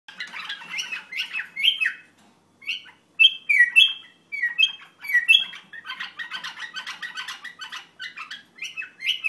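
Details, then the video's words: An Iraqi bulbul sings short, rich whistled phrases, some rising and some falling, broken by brief pauses. Scratchy chattering notes fill the gaps between them. "بلبل عراقي"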